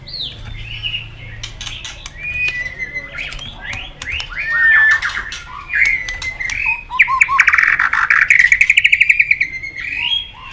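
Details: White-rumped shama stimulated into competitive song, clicking continuously: varied whistled and slurred notes with sharp clicks, ending in a rapid, fast-repeated trill of short notes before a final whistle.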